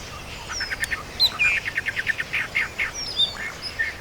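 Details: Countryside songbirds in a natural rural setting: a rapid series of short chirped notes repeated about five times a second, with thin high whistled slides and scattered tweets from other birds overlapping.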